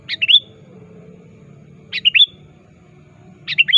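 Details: Rival-calling sooty-headed bulbul used as a trapping lure: quick three-note phrases, clipped notes ending in a clear whistle, repeated roughly every 1.7 seconds above a soft low background hum.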